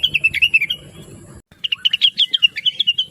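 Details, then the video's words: Blue-winged leafbird, chattering sweetly as a tutor for other songbirds. A short run of fast warbled notes is followed after a pause by a longer, denser stream of bright, bouncing chirps. "Rengganis / Cucak Wilis Gacor Cerewet Suara Merdu"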